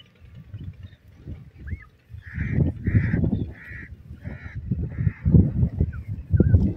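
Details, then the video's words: Partridge (teetar) calling: five hoarse, harsh notes in a steady series about half a second apart, each a short mid-pitched burst, over heavy low rumbling background noise with a few faint higher chirps. "the Beauty of Cute Partridge Calls,awaz bird teetar"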